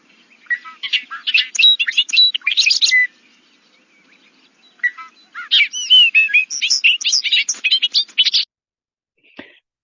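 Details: Bobolink, apparently a boldly patterned black-and-white male with a straw nape patch, a bird of wet meadows, sings two rapid, bubbling bursts of jangling, metallic notes that tumble up and down in pitch like R2-D2 robot chatter.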